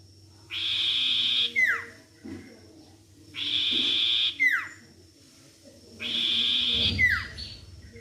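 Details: Sirtu lure recording meant to start a bird singing: three phrases, each a steady high buzzing trill ending in a quick falling whistle, spaced roughly two seconds apart, with faint low background noise.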